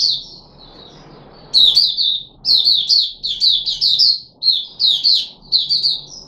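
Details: Red-whiskered bulbul (Puteh Raja) kept in a cage, recorded 13 April 2021 after fruit juice, a mealworm and a supplement: after a soft lead-in, rapid loud clusters of rich, slurred whistles follow with brief pauses.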